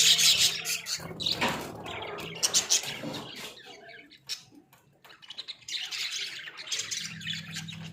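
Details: Australian budgies in a small cage produce bursts of high scratchy chatter, falling nearly silent briefly before the warbling picks up again; a low hum returns at the end.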